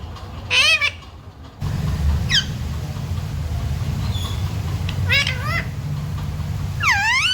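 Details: Parrot imitating speech, such as "mummy papa" and "sita ram": a few separate harmonic, voice-like syllables with swooping pitch, heard against a loud low rumble that begins partway through.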